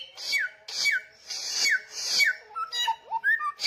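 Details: Persistent, loud samyong song: four buzzy bursts each ending in a slurred downward whistle, followed by a cluster of varied short warbled notes at a lower pitch.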